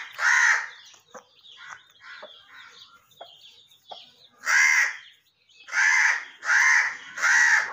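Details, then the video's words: Parrot from a talking parrot family calling loudly, with harsh, buzzy squawks in separate bursts of about half a second, four strong ones near the end, and softer chattering between them. "So Funny And Cute Parrot Of Talking Parrot Family"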